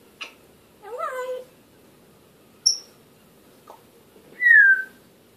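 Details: African grey parrot vocalizing in a quiet room: a short click, a wavering harmonic squawk, a sharp high whistle, a faint click, then a loud downward-sliding whistle, with pauses between sounds.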